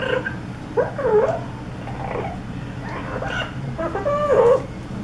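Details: Pet parrot mimicking sounds, producing short voice-like whining and warbling phrases with bending pitch, repeated every second or so, against steady low background noise.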